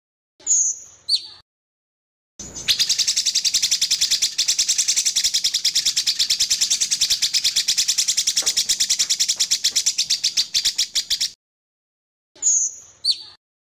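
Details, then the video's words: Sooty-headed bulbul song variations with pauses, used as tutor recording for songbirds: a high whistle dropping in pitch, then a long, fast, buzzy trill of even notes for about nine seconds, then another falling whistle; silent gaps between phrases. "Cucak Cungkok Masteran Variasi dengan Jeda"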